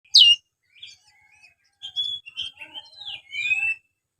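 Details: Oriental magpie-robin in energetic, chatty singing, used to coax lazy magpie-robins into singing more. Short, quiet run of varied whistled notes, from a sharp high downslur to warbled phrases and a final rising whistle.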